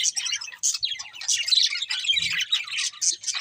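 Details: Colourful budgerigars of a breeding pair chirping: dense, fast, scratchy twittering and warbling notes run almost without pause, with a few brief low thumps underneath.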